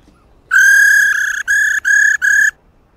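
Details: Female white-cheeked laughingthrush producing the rolling "ro" call meant to spur males into song: a loud, rasping, richly buzzy tone lasting two seconds, broken into four segments by short gaps.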